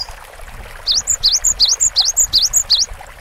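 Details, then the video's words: Singing Cinereous tit gives six crisp, high-pitched two-note phrases in steady rhythm, each a sharp upward note linked to a falling one, lasting about two seconds after a quiet start. "GELATIK BATU GACOR DURASI PANJANG MASTERAN SUARA BURUNG KECIL"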